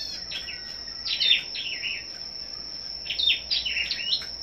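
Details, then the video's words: Kept scarlet-backed flowerpeckers in competitive singing (hót đấu): two short bursts of high, thin twittering squeaks about two seconds apart, a constant high electronic whine throughout. "Chim Sâu Đầu Đỏ Hót Đấu"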